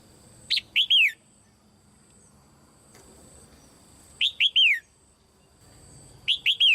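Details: Female red-whiskered bulbul calling from a cage to prompt other birds to sing hard. Three-note whistled phrases, bright and downslurred, repeat three times at intervals of about three to four seconds.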